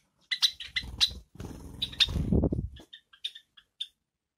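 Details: Pet Java sparrows bathing, with water splashing and fluttering mixed with short high chirps, first in a quick series, then as sparse single peeps after the splashing stops.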